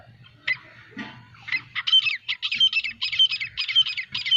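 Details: Group of nine francolins, also called teetar, calling while flying: scratchy high notes start sparsely, then quicken into a steady run of loud, rhythmic, clipped calls, with faint low hum underneath.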